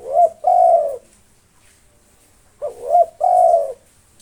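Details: Spotted dove of a local strain in nonstop song meant to lure and provoke rivals. Two phrases, each starting with quick clipped notes and ending in a drawn-out, steady, throaty coo, separated by about two seconds of near silence.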